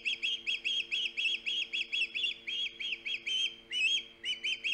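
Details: Osprey calling loudly at a nest on Hog Island, 3 September 2019: a rapid series of high, piercing whistled chirps, several per second, with a few longer rising squeals, over a steady low electrical hum.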